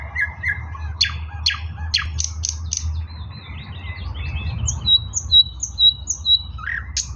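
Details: Nightingale song recorded 16 May 2024, opening with harsh buzzy strokes and sharp rising notes, then shifting to evenly spaced pure whistled notes repeated in a quick series, with low background hum throughout.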